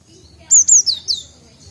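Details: Young cinereous tit, still learning its calls: four high, sharp notes in quick succession, the first two whistled and level, the last two sliding downward, over a quiet background.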